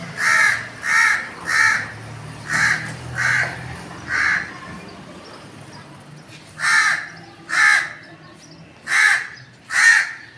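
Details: Crow calling: a first burst of six raspy caws, a short pause, then five more spaced caws, with low rumbling background noise.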